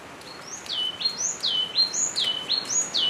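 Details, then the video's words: High, ringing phrases of a Yellow-cheeked tit (Machlolophus spilonotus), a bird that communicates in social groups. Each phrase rises sharply and then falls in a slurred whistle, repeated about four times in steady rhythm over faint ambient hiss. "Unlocking the Noisy World of the Yellow-Cheeked Tit | Vibrant Bird Calls & Social Behavior"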